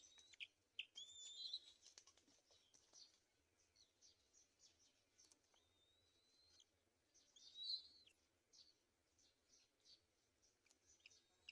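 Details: Black-winged kite, apparently feeding its young, giving thin, high whistles, some drawn out and slightly rising, about four times over twelve seconds, with soft clicks and rustling between.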